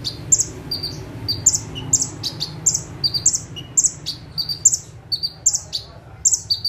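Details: Bar-winged prinia (Prinia familiaris) in full, energetic song while sitting calmly on one perch: a rapid run of high, sharp two-note chirps repeated about every half second over a faint low hum.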